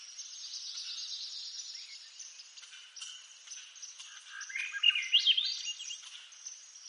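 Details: A Swainson's thrush, a bird of eastern North America, gives one flutelike phrase that spirals upward in pitch, set against a constant high, hissing chorus of insects and other birds.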